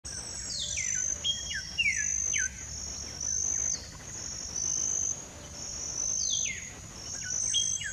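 Olive-grey Saltator giving clear, downslurred whistled notes, several per second in short bursts, over a constant high insect buzz.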